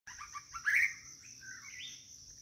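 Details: White-rumped shama calling for a mate: quick stuttering whistled notes building to a loud trill, then long sliding whistles, over a steady high insect drone.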